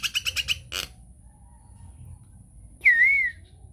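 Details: Nias hill myna in a lure or tutor recording, giving a quick run of five harsh chattering notes and a rasping burst, then after a pause one loud, clear whistle that rises and dips.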